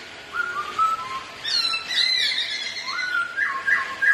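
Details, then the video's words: Black-throated laughingthrushes, a pair of kept birds singing against each other as they dance, give mellow falling whistles mixed with higher squeaky, chattering notes and rising whistled phrases. "2 Khướu Thi Nhau Hót Và Múa Quá Đẹp"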